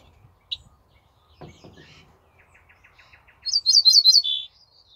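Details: Song of an ortolan bunting, recorded 28 May 2024. A faint ticking run comes first, then a loud phrase of five fast, high repeated notes ending on a single lower, sustained tone. Background stays quiet.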